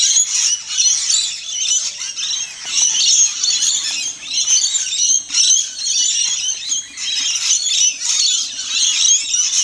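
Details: Rainbow lorikeets, a large flock feasting at dusk in a tall trumpet tree in a neighbour's garden; a dense, unbroken chorus of shrill screeches and squeals that swells and ebbs in bursts throughout.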